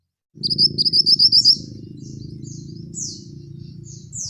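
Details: Male scarlet minivet in energetic song of the rolling-shooting type. A fast string of about eight piercing upslurred whistles gives way to scattered soft, buzzy descending notes against low background noise.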